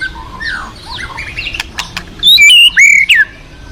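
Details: Forest-dwelling wild white-rumped shama giving loud, clear whistled phrases with sharp upslurred and downslurred notes near the end, after softer scattered bird notes over a steady rushing background.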